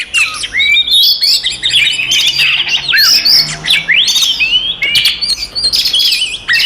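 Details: Provoking fighting song of an Oriental magpie-robin: loud bursts of sweeping whistles, clicks and rising slurs in quick succession, with a faint low hum underneath.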